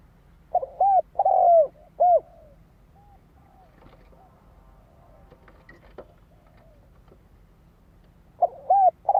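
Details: Spotted dove lure bird for wild doves; a phrase of three coos, a stretch of faint clicks and rustling, then the coo phrase begins again.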